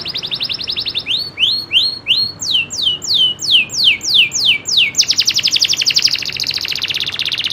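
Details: Local canary (kenari loper) singing natural rolling trills: a high buzzy trill, then a run of rising and falling slurred notes, ending in a fast, dense, high-pitched roll.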